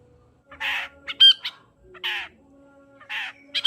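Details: Long-tailed shrike vocalizing as a lure for a silent shrike: rasping, noisy screeches about a second apart, with a sharp short whistle in between and a faint steady hum underneath.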